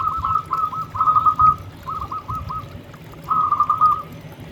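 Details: Vigorously singing local zebra dove giving three bursts of rapid, soft, trilling coos at a steady pitch, with brief pauses between phrases and a low rumble underneath.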